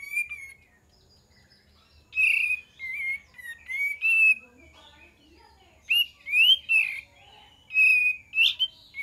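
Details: Kapas tembak lure song, clear and close: several bursts of bright whistled phrases with rising and falling slurs, separated by short silences.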